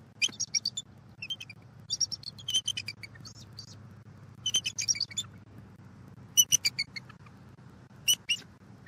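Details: Bald eagles at a Southwest Florida nest tree while eggs are incubated, dated 12-01-23: rapid high chittering calls in clusters of quick staccato notes, separated by pauses, over a constant low outdoor hum.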